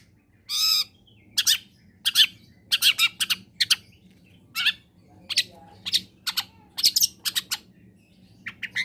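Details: Long-tailed shrike singing loudly, meant as a lure to set silent shrikes singing: an opening harsh grating burst followed by irregular sharp chips and short buzzy notes scattered through the phrase.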